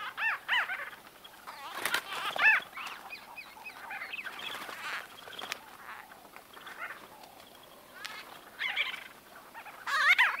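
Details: White-fronted bee-eaters in close-range conversation, a busy mix of rolling, squeaky and nasal calls from several birds overlapping, with louder bursts near the start, middle and end.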